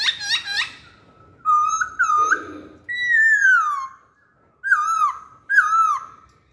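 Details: Singing masked laughingthrush used as a lure: a few quick rising notes, then loud slurred whistles and a long drawn-out descending whistle, with pauses between phrases.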